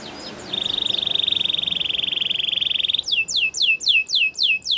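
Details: Belgian canary singing: a long buzzy trill held steady for over two seconds, then a series of loud sweeping whistled notes, each falling in pitch, repeated about four times a second.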